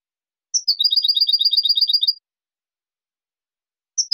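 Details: European goldfinch song recording for training juveniles, clean song for competition: a sharp high note, then a fast run of about fifteen tinkling, twittering notes over under two seconds, another high note at the end; no background noise.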